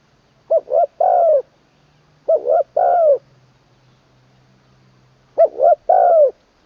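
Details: Spotted dove trained as a decoy, third session, crowing 'long kuk wai' with a full middle-pitched voice. Three hollow cooing phrases. Each one gives two brief notes followed by a longer downward-curving coo, with pauses of over a second between phrases.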